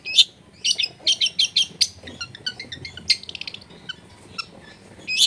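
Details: Long-tailed shrike singing a varied, clear-voiced song meant for other shrikes to copy. A fast run of sharp chattering notes gives way to thinner high chips and short trills, then a final loud burst.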